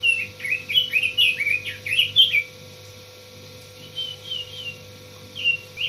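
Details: Red-billed leiothrix, kept as a songbird, singing a rapid run of clear, bouncy whistled notes with quick up-and-down slurs for two seconds, a pause, then a few more phrases; steady electrical hum underneath.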